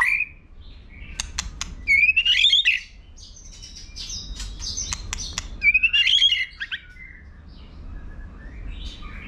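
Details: White-rumped shama singing competitively, flicking its tail. High, buzzy chattering phrases rise in quick warbled runs, twice in the span, among scattered sharp clicks and a steady background hiss.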